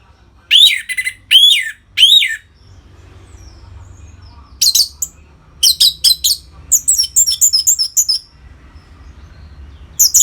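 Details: Orange-headed thrush ngeplong song meant to rouse kept birds toward breeding: three loud arched whistles open, then clusters of quick sharp notes and a fast, evenly repeated high trill. Faint low hum.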